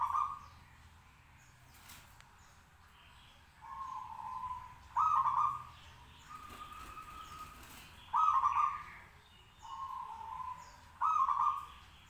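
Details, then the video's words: Caged local zebra doves in lively song meant to set others answering: short burry trilled coo phrases alternating with softer, lower-pitched ones at intervals of one to three seconds, like an exchange of calls. "perkutut lokal gacor manggung 10 menit bikin nyaut lainya"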